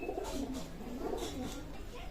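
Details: Pakistani high flying pigeon at a loft in Daulatpur, Khulna, Bangladesh, dated 04/08/2026, giving repeated low, rolling coos in quick succession, several wavering phrases over about two seconds, indoors with faint background hum.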